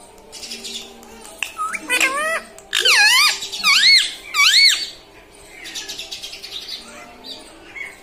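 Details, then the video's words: Pet parrot that talks, said to say "mummy" and "papa": a run of three loud, wavering, harmonic phrases in the middle, each bending up and down, with softer chatter before and after. "मम्मी - पापा बोलने वाला तोता"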